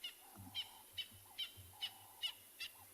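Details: Francolins call on a very quiet morning game drive in a South African private game reserve on 25 July 2020, with lions nearby: harsh, grating notes with a thin whistled edge about every half second over a faint low rumble.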